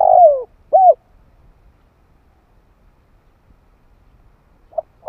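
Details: Spotted dove calling as a lure, deep soft cooing notes: a long falling coo and a shorter one, then a long pause before faint coos resume.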